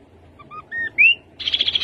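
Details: Rufous-capped babbler phrase: two paired soft whistles, a longer level whistle and a bright upslurred note, then a fast buzzy trill that is still going when the sound stops.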